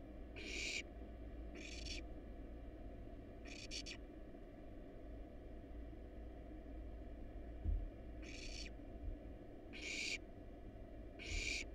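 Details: Hungry wild barn owl nestlings eating a rat and a rabbit in a nest box; loud, rasping hisses in short bursts at uneven gaps, over a constant low rumble, with a few soft knocks.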